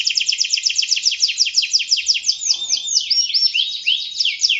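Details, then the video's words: Canary gacor song, described as good for prompting other birds: a continuous chain of quick high downward sweeps about six per second, shifting midway into a varied, more twisting phrase of slurred notes. "SUARA BURUNG KENARI GACOR‼ cocok untul pancingan paud"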